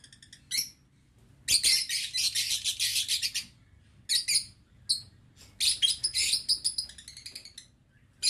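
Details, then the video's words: Lovebirds kept in an aviary cage, 11 November 2022, give long bursts of rapid, piercing chatter broken by brief pauses and isolated high squeaks. "Aviary Lovebird"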